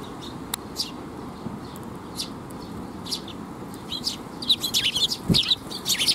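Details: Sparrows coming to be fed at a bridge, 19 June 2021: scattered high chirps at first, then a quick cluster of sharp chirps in the last two seconds, over a constant rumbling background.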